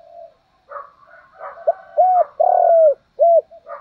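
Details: Spotted dove used as a decoy, cooing to attract wild doves; quiet coos and faint chirps lead into a loud four-part phrase, a clipped note, two arched coos around a long, buzzy, falling coo.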